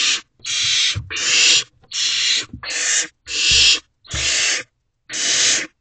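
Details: Adult male barn owl bringing food to owlets in a nest box, 3:27 am, 12 May 2023. About eight loud, dry rasping hisses, fairly evenly spaced, with faint knocks in the background.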